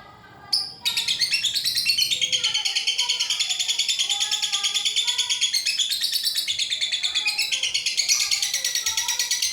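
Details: Lovebird singing a long, unbroken ngekek song: a rapid chattering trill of high, dense notes repeated about three times a second, running continuously for over eight seconds with slight shifts in pitch and pace.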